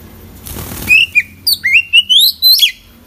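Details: Oriental magpie-robin in full song with isian phrases: after a brief rustle, a run of loud whistled notes with upward-sliding sweeps and a final rising whistle, each note short and clearly separated.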